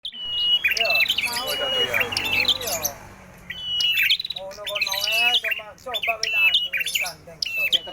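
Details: Prinia (prenjak merah) singing vigorously: loud, high chirped and whistled notes with sharp upward flicks, broken by a softer patch of lower warbling in the middle, then bursts of rapid chatter.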